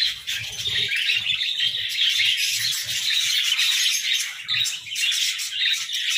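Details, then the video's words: Morning warbling from several pet budgerigars: a steady, lively jumble of chirps, squeaks and raspy twitters, constant throughout, with scattered low thuds beneath. "Budgies Singing Sounds"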